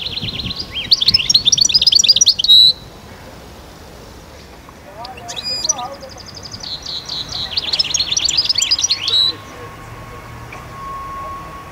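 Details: European goldfinch in Constantine, Algeria, 2012, singing the khalwi style: two fast twittering phrases each finished with a long buzzy note, separated by a quieter stretch with a brief human voice and faint other sounds.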